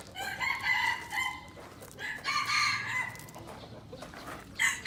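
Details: Young pure-bred wild red junglefowl from Aceh, kept as a lure bird, gives harsh harmonic crowing phrases, two longer bursts then a short clipped note at the end, over a steady hiss of background noise.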